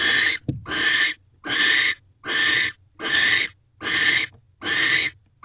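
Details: An owl pair mating in an owl box on 15 Dec 2023 at 7:47 pm, at an unusually high mating frequency: harsh, hissing screeches, each under half a second, repeated steadily about every 0.8 seconds.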